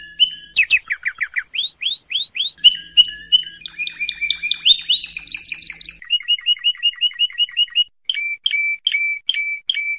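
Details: Training song of a Spanish Timbrado canary, used in 2014–2015: varied tours of rising slurred notes, a fast rattling trill, an even series of short clipped notes, and a final set of repeated whistled phrases.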